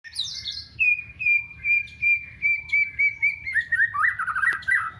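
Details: White-rumped shama singing with canary-style song fill: high twittering notes open the song, followed by a run of clear whistled notes on one pitch that slowly drop. It ends in a fast, warbling trill, over a low hum.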